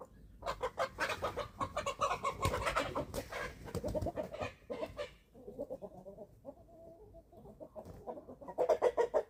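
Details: A flock of 11-week-old chicks at feeding time on a small family farm in Germany, dense overlapping clucks with loud scratching and pecking, softer clucking later and a louder chorus at the close.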